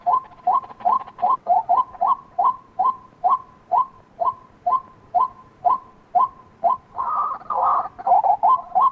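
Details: White-breasted waterhen calling a long, regular series of short, hollow clucks about two per second, ending in louder, harsher croaking phrases.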